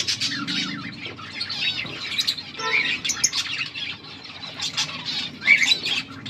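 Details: Colourful budgerigars chattering steadily, layered scratchy chirps and harsher squawk-like notes overlapping without pause, with a few clearer whistled notes and a soft low background hum.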